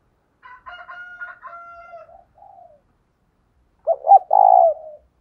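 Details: Spotted dove decoy with a 'thổ' voice calling to draw males: a harmonic-rich crowing phrase from another bird first, then a loud burst of low rolling dove coos ending in a falling note.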